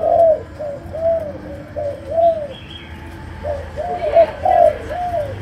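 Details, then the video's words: Spotted dove from Malaysia giving mellow, low cooing phrases, each a run of rounded coos, repeated twice with a brief pause, faint background noise. "Cu Gáy Malaysia, Chiêu Gù. Sấm Đồng"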